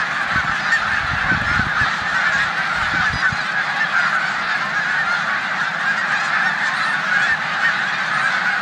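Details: Large snow goose flock resting in a Savannah, New York corn field, 14 March 2020, with Canada geese present; continuous overlapping honking, with wind buffeting in the first three seconds.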